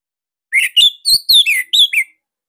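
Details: Orange-headed thrush (Anis Merah Bali) song used as a master for training cage birds to sing; a clean run of six loud whistled and slurred phrases, dipping and rising, packed closely together, with no other sounds.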